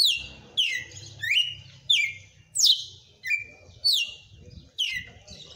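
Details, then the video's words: Red-cowled cardinal, a kept bird, singing: loud sharp phrases that each start high and slide steeply downward, repeated about every 0.6 seconds, with faint low voices or room noise beneath. "TOME ESSE AÇOITE DE COM FORÇA DO MEU GALO DE CAMPINA"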